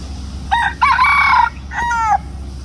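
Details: Rooster crowing at Pasir Ris Park, a loud cock-a-doodle-doo in three harmonic bursts, the middle one longest, the last ending in a falling tone, over a steady low rumble.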